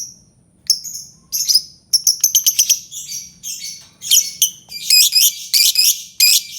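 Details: Albino lovebird calling with a loose series of shrill, high chirps and short squeaky bursts, some doubled or clustered, irregularly spaced across the recording.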